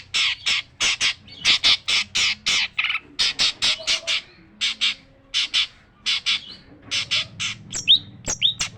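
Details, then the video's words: Harsh chattering from a long-tailed shrike: loud rasping squawks delivered in quick runs of three to six, with brief pauses and a few thin whistled notes near the end, over a faint low hum. "burung cendet gacor full masteran kasar kasar"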